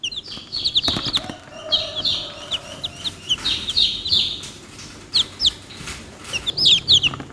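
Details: Cheeping chicks make bursts of thin high peeps that fall in pitch, scattered irregularly, with a faint low hum and occasional knocking noises underneath.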